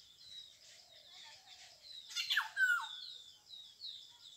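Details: Black-hooded oriole, the yellow bird of local speech: a loud scratchy downward squawk and a brief flat nasal note midway, set against thin, high background chirping.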